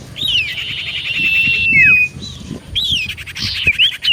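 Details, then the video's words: Common iora song used to provoke responses: a steady buzzy churr with a thin whistle running through it, then a sharp falling slur, a pause, and looping whistled notes. "Burung Cipoh Gacor Pancingan Paling Ampuh Bikin Burung Cipoh 5 Detik Langsung Nyaut"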